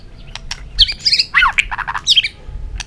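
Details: White-rumped shama giving a dense, rapid phrase of rich warbled and slurred notes with scattered sharp ticks, in a quiet setting.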